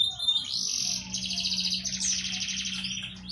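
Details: A canary sings a continuous bright warble of rapid trills and rolling tours, high-pitched and unbroken, over a faint low hum; a fully filled song meant as tutor song for young canaries. Finding: Belgian canary.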